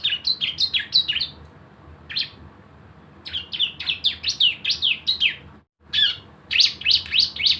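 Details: Javan white-eye in lively song, played to coax other birds into singing: clusters of high twittering, zigzag chirps in short bursts separated by gaps, with a brief dropout midway.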